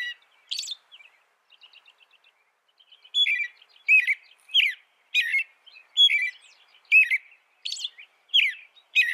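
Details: American robin song. Soft, faint twittering notes at first, then loud, clear, warbled whistled phrases repeated more than once a second, some with a thin high squeaky note added.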